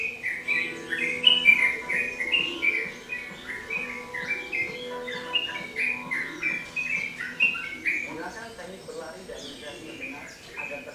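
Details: A Yellow-vented bulbul (trucukan/merbah cerukcuk) sings in full voice, a lively, bubbly run of short chirping notes repeated rapidly over a steady low hum with faint background voices or music.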